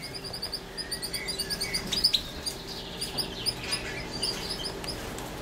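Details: Female European goldfinch feeding gives a fast run of thin, high tinkling chirps, several each second, over a steady background hiss.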